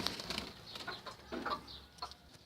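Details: Zebra finches fighting in a keeper's setup give several brief nasal, harmonic beeps at uneven intervals, mixed with soft fluttering and rustling and a low background hum.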